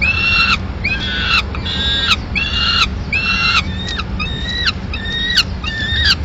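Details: Peregrine falcons at their nest in Madrid, 15 May 2016: the male brings in a live swift, which the female finishes. Repeated harmonic calls about a second apart, with shorter upward-slurred notes later, over low background rumble.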